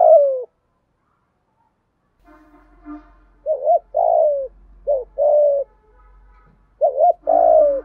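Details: Spotted doves, males and females, calling in the local 'thổ pha gù thúc' manner to excite decoy birds. Soft mellow coos repeat: brief two-note pulses each followed by a longer falling note, over a faint low hum and light background murmur.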